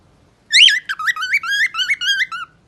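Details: Parrot kept as a pet sings one continuous phrase: an opening high sweep followed by about eight evenly spaced, wavering whistled notes that step gently in pitch.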